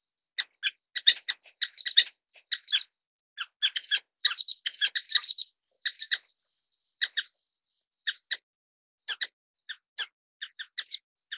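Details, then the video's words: Orange-cheeked waxbill (Estrilda melpoda) giving high, thin chirping notes in quick runs and clusters, some merging into short twittering strings, with brief gaps between bursts and fewer, spaced chirps near the end. "橙頰梅花雀/Orange-cheeked Waxbill"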